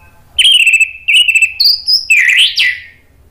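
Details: Orange-headed thrush (anis merah) song played to stimulate other birds into answering: long level whistles with slight warbles, a higher clear note, then two rapid rising and falling slurred flourishes fading out.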